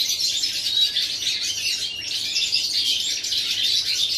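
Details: Goldfinch singing, 11 September 2018, with fast liquid twittering and short buzzy trills running without a break, a slight dip in intensity near the middle before the chatter resumes as strongly as before.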